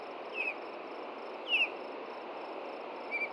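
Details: Nesting ospreys at Hellgate Canyon, Montana, upset after dark on June 2, 2014, by an intruding juvenile, picked up by a nest camera: three short, high, down-slurred chirps spaced over a second apart above a steady hiss.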